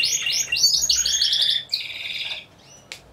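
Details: Timbrado Español canaries singing in a four-bird team class at a voice canary show, November 2015; bright rapid trill phrases, a brief pause, another rolled trill, then a faint thin whistle.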